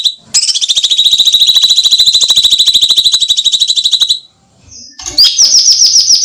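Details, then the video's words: Bulbul known locally as cucak cungkok giving harsh screaming calls, used as a training recording for songbirds: a fast buzzy rattle of rapid high notes held for about four seconds, a brief pause, then another rapid burst. "MASTERAN JERITAN SEREM (cucak cungkok)"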